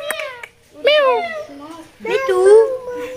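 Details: A talking parrot (parakeet) at the Mirpur 1 bird market in Dhaka, Bangladesh, speaks three short, high-pitched, speech-like phrases with rising and falling tone, sounding like a childlike voice in a small room.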